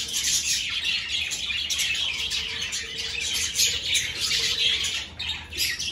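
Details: Flock of caged budgerigars in an aviary at the start of the breeding season, after clay nest pots are hung up: continuous dense, high chirping and warbling chatter from many birds at once, with no pauses.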